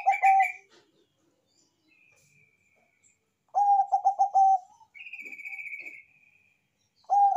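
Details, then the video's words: Bangkok zebra dove (perkutut) in strong manggung song: repeated phrases of pulsed, level cooing, alternating with a higher, buzzy drawn-out note. "PERKUTUT BANGKOK GACOR SUARA BESAR ISTIMEWA‼️COCOK UNTUK PANCINGAN"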